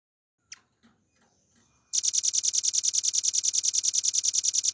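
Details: Velvet-fronted nuthatch (rambatan paruh merah), a cage bird, recorded as a master for tutoring songbirds: scattered faint ticks, then a loud, even trill of high, dry notes bursts in and runs on rapidly and regularly.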